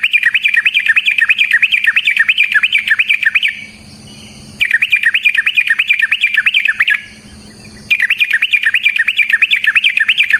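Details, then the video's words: Sooty-headed bulbul song for luring other bulbuls into song, long bursts of rapid rhythmic warbling notes, rising and falling steadily, separated by two brief pauses, with a constant low hum beneath. "Suara Burung TRUCUKAN gacor ROPEL VARIASI NROTOK NGECUPLIK pancingan trucukan agar JADI trucuk GACOR"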